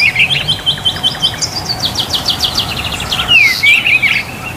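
Greater green leafbird singing a lively, varied run of high whistles, quick repeated chirps and a fast slurred trill, over a faint low background hum.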